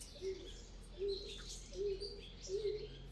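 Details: A pigeon, at first taken by listeners for an owl, gives soft, low, hollow coos near horses being groomed, four short notes under a second apart, over a steady background hum with faint higher chirps.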